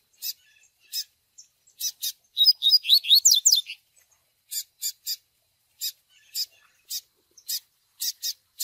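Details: Chick begging calls of the Double-collared seedeater, used to train a male in the Tui Tui Zel Zel style: sharp high ticks repeated irregularly, with a dense run of slurred chirps in the middle.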